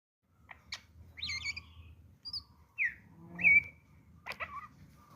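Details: Greater green leafbird singing as bait to provoke other birds to sing: sharp chirps, a buzzy rattling phrase, then clear whistled slurs rising and falling, over a steady low hum.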